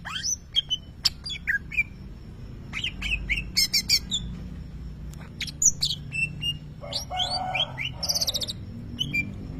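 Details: Greater green leafbird known for imitating a lovebird sings scattered sharp chips and slurred whistles, with a harsh squawking burst near the end; low background rumble throughout.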